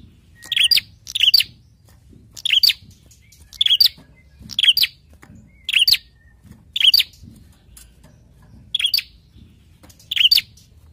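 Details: Repeated high chirping from a prinia, meant to trigger other birds to respond: sharp doubled notes, sometimes two bursts close together, then a pause of about a second, over near silence.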